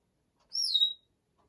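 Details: A 34-year-old female Congo African grey parrot, a pet, chattering as she talks herself to sleep: one bright, high whistled chirp lasting about half a second, sliding down and then levelling off, in an otherwise quiet room.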